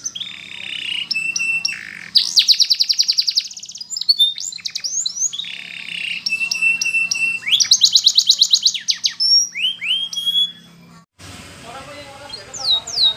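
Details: Spanish Timbrado canary training song: buzzy and whistled tours alternate with fast metallic trills and sharp downward slurs, varied phrases in quick succession, ending in a brief noisy break and a final slur.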